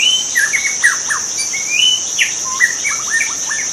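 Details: White-rumped shama singing in the wild: a lively run of varied clear whistles, slurred up and down, some short and some held, over a steady high insect drone.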